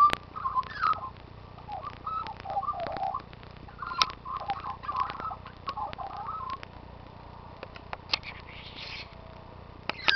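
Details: A rescued and released magpie, which returns each day to sing, gives a soft, rambling warble of mellow, gurgling notes with short pauses, scattered sharp clicks and a faint higher chatter near the end.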